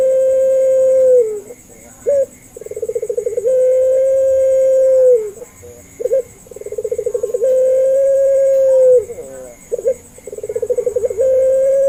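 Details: Barbary dove (puter) singing pelung-style calls, a lure meant to prompt reluctant doves to answer. Three cycles of a rapid stuttering coo flow into a long, steady, drawn-out note. Short clipped notes fall between the cycles, and a faint high whine runs throughout.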